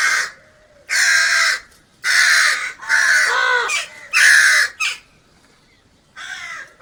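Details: Crow calls used to draw crows to food: harsh, grating caws in an uneven run, some long and some clipped, then a pause before a final weaker caw.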